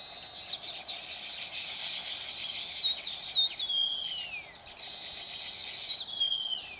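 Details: Several baya weavers (Ploceus philippinus) in Phaltan, Satara, Maharashtra, India, seem to call at once: a dense, high, buzzy chatter with two drawn-out wheezy notes that slide downward.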